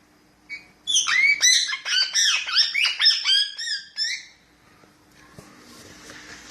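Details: Chattering pet parrot, said to talk, pours out about three seconds of fast, bouncy, high whistled syllables, each bending up or down, then falls silent. Faint background hiss follows.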